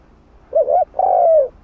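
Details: Spotted dove cooing in the 'hạp bổi' voice style, played to stimulate other doves to coo: a short mellow two-note coo, a brief wavering note followed by a longer, steady, slightly falling one, with a quiet background.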